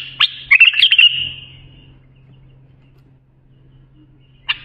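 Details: A bulbul's song phrase for schooling young birds: one sharp note, then a short jumbled burst of bubbly, warbled notes fading into a thin buzz, long quiet, and a final single note, over a faint hum.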